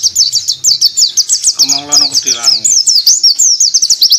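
A white-eye pours out a long, unbroken run of very high, thin twittering notes. A brief low voice breaks in midway.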